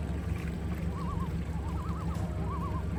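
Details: A loon on glassy water near the Rocky Mountains in Canada gives three short, wavering, quavering phrases at a steady middle pitch over a constant low engine-like rumble.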